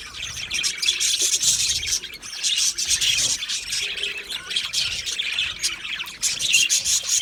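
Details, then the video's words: Budgerigar colony in an aviary, singing and chirping: a constant high, buzzy twittering from many birds with louder surges of squawky chatter, lasting throughout without pause. "Budgies singing and Chirping Sounds"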